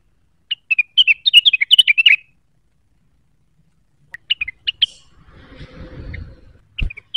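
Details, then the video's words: Blue-winged leafbird (cucak wilis), quick to anger, in rapid neritik song: a dense run of sharp whistled chips, then scattered single notes over a soft rumbling background. "Rengganis gacor neritik mencari lawan, pancingan cucak wilis cepat emosi terpancing bunyi"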